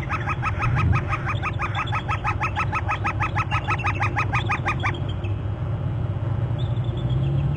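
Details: Bald eagle calling at a nest territory on Hornby Island as an eagle flies by and is displaced by an adult eagle: a rapid run of high, sharp chittering notes for five seconds, over steady low wind rumble.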